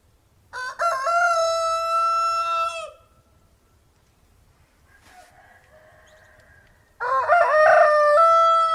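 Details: Rooster crowing, played slowed down four times; a long, drawn-out harmonic crow lasting over two seconds, a brief soft call in the pause, then another loud, rich crow begins.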